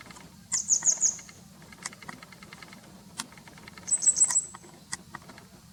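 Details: Grey wagtail calling in late April 2020, observed from a home; two short bursts of four to five sharp, very high ticking notes in quick succession, separated by a pause, with faint scattered clicks and taps between them.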